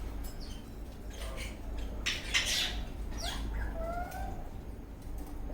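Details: Eastern rosella parrot in a happy, dancing mood: soft clicks and a brief flutter-like burst, followed by a couple of clear, mid-pitched descending whistles, with low hum underneath.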